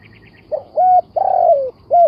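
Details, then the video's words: Cooing spotted dove: a brief lead-in note, a steady coo, a long vibrating coo dropping in pitch, and a closing rounded coo. Faint high chirps from another bird come just before. "The Sound Of Spotted Dove"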